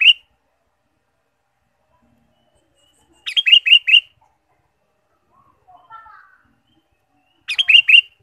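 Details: Ruby-throated bulbul, sung to stimulate caged birds: two bursts of four quick bright chirping notes about four seconds apart, with a soft lower twittering between them and silence otherwise.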